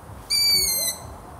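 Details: A single drawn-out, high squeaky note from a long-eared owl that falls gently in pitch over about half a second, with little else heard.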